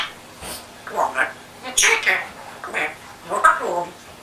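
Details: Pet African grey parrot with an English accent, indoors, produces continuous speech-like mimicry, several rough, squawky word-like phrases in quick succession over a low room hum.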